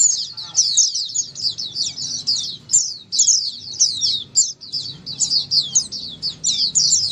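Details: Oriental white-eye group chorus used as therapy for a white-eye that stopped singing; bright, rapid, high twittering bursts running almost continuously, with faint low background noise.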